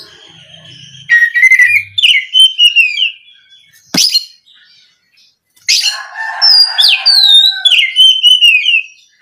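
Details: Oriental magpie-robin lure song meant to provoke rival kacer into singing; sweet descending whistles and chattering notes in two long phrases, separated by a sharp click and a pause.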